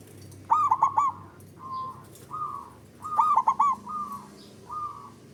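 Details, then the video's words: Calling male zebra dove, ngerot ngoar style, intended to raise mating drive in a bird that rarely sings: two quick bursts of rapid rolling coos, each followed by drawn-out, even hooting notes, over a low hum. "Ngerot Ngoar Naikan Mental Dan Birahi Kutut Malas Bunyi"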